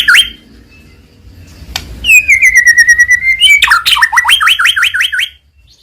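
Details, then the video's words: Murai batu, white-rumped shama, from Medan, singing to provoke rival birds: a long steady whistle near the middle, then a fast series of sharp repeated upslurred notes, about eight in a row, with brief chirps at the start. "100% Ampuh mancing emosi Murai Batu Gacor"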